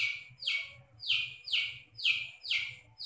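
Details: Long-tailed shrike giving mimicked song phrases: loud, harsh, downward-sliding notes repeated about once every half second, each one dropping sharply in pitch, over a soft low hum.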